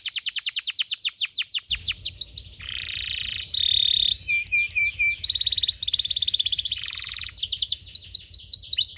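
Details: Canary song recorded as a tutor for young canaries: rapid down-slurred whistles give way to harsh buzzy trills, metallic ringing chips and bursts of quick rolls, above a continuous low droning hum.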